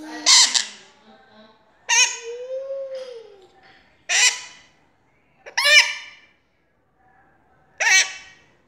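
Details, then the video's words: Captive pet parrot vocalizing: five separate squawky, speech-like utterances spaced roughly two seconds apart, some rising and falling in pitch, in a quiet room. "Meu loro falando"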